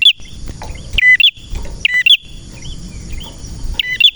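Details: Male prenjak (prinia) singing steadily: sharp chirped phrases repeated about once a second, each a high twittering burst dropping to a lower clipped note, over a faint steady background hum.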